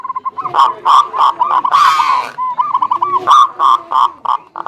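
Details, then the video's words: Zebra dove lure song to coax quiet birds into singing: rapid repeated cooing notes from overlapping birds, broken by a short rough, hissing burst partway through. "PANCINGAN SUPER AMPUH UNTUK PERKUTUT MALAS BUNYI"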